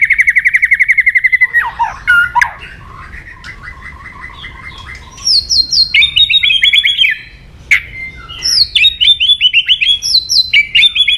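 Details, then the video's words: White-rumped shama song intended to provoke: a rapid trill, a few harsh notes, soft chattering, then loud stepped phrases that drop in pitch and are repeated several times, briskly and unevenly. "AWAS MURAI BATU MU IKUT EMOSI"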